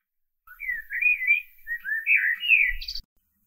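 A common blackbird gives one rich, fluting warble of about two and a half seconds, rising and falling, then ends in a brief high squeaky twitter.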